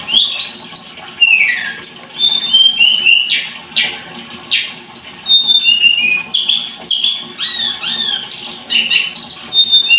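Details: Scarlet-headed flowerpecker song in a lively run of shrill whistles, falling slurs and rasping notes, growing denser and more excited toward the end.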